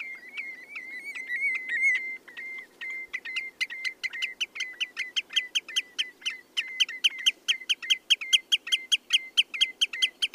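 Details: Common redshank song: a long run of short whistled notes pitched at one level, each with a sharp clicky edge, repeated about two to three times per second and speeding up after a hesitant, more varied opening.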